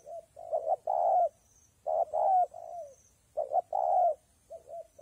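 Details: Spotted dove cooing through a day of rainy, windy weather: low mellow phrases of soft short notes then a long swelling coo falling at the end, repeated about every one and a half seconds, faint high hiss above.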